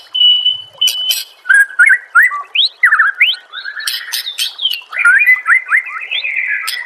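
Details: Loud, varied white-rumped shama song for training songbirds: a long, steady whistle, then sharp clicks and a rich stream of slurred, bouncing whistled phrases.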